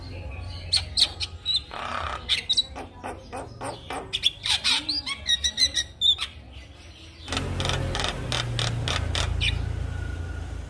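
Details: Javan myna song for coaxing silent mynas to sing: rapid chattering clicks and squeaky whistles, a low sliding note midway, then dense harsh noisy chatter to the end.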